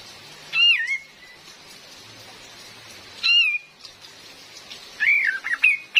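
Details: A female cream-vented bulbul, used as a trapping lure, gives two descending whistles a few seconds apart and then a quick jumble of slurred notes, heard over steady real rain.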